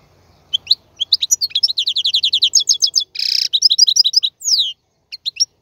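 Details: European goldfinch male singing as a model for young birds: a stream of quick liquid twitters, a harsh buzzy burst in the middle, then descending slurred notes and a few scattered chirps.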